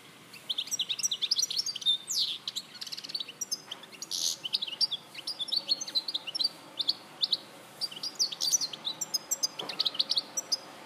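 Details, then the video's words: Sustained jingling song of a European goldfinch, Larache, 2014: fast cascades of high chirps, rising and falling slurs and brief buzzy rattles repeated continuously for about ten seconds. "Jilguero Larache 2014"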